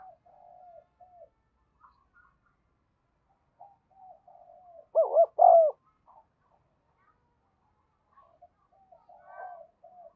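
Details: Decoy spotted dove calling wild doves in: soft, distant cooing phrases throughout, with one loud, close phrase in the middle of a doubled coo followed by a long, sustained coo.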